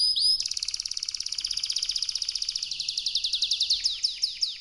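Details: Canary song: a long, fast trill of evenly repeated high notes that runs for several seconds, then slows into a few separate downward-sweeping notes at the end.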